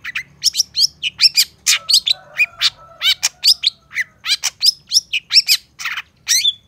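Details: Long-tailed shrike full training song: a continuous, rapid string of varied notes, including raspy buzzes, quick downslurred chips and short whistles, with a brief lower warble around two seconds.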